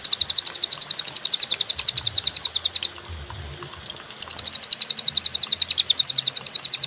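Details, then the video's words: Cililin song from a paused, clear master recording meant to tutor songbirds: a long rapid series of high, sharp chirps, over a second of quiet, then the fast piercing train resumes at about four notes a second. "masteran suara, burung cililin suara jernih & berjeda"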